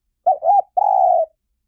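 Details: Lure call of a spotted dove for decoy trapping: two quick mellow coos, then a sustained, faintly rough note lasting about half a second, with no other sounds.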